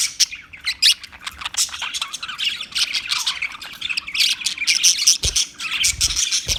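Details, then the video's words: Budgie chirping and chattering continuously: rapid high scratchy warbles and squawky notes with no pauses, plus a couple of low thumps. "Beautiful Parrot Talking Beautiful Budgie Beautiful birds Chirping Sounds"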